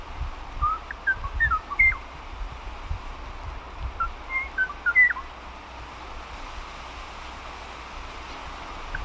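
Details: Moho, an extinct bird genus once endemic to the Hawaiian Islands: short, clear whistled notes, some rising or sliding, in two loose phrases of about five notes each, separated by a pause, over steady low rumble and hiss.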